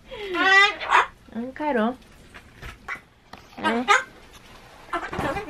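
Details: A pet Ducorps's cockatoo indoors, talking and saying "konnichiwa" (hello), and lately often answering "haai" first. Four short, harmonic, voice-like phrases come at about one-second gaps, with some raspy breaks between them.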